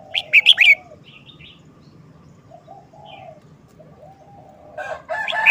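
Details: Red-whiskered bulbul showing its short song style: an opening phrase of three fast, loud whistled notes, followed by soft faint notes. A noisy rustling rises at the end over a steady low hum.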